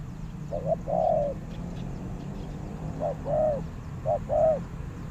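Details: Spotted dove used as a decoy, cooing to draw in wild doves: three phrases, each a short note followed by a longer, mellow, slightly falling coo, spaced a couple of seconds apart against low background hum.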